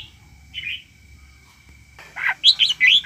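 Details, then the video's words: A myna gives one brief raspy note, falls quiet for over a second, then bursts into a run of loud squeaky chattering phrases, over a thin constant background tone. "chim sáo hót"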